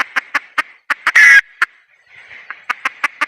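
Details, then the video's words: Red junglefowl hen giving spaced, sharp clucks with one loud, harsh, raspy squawk in the middle. The clucking resumes faster after a short lull over faint background hiss. "Suab poj qaib qus see zoo heev"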